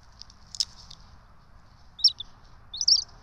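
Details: Two wild bald eagle chicks being fed by their parents at a nest watched by a nest camera in Johnson City, 12 March 2024; three brief, thin, high chirps spaced about a second apart over a steady low background hum.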